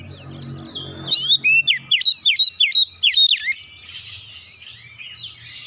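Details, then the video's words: Oriental magpie-robin delivering 'nembak' song with full repertoire: low murmur, then a fast run of loud, looping whistled notes repeated about three per second, followed by softer scratchy warbling. "kicauan kacer nembak nembak bongkar isian"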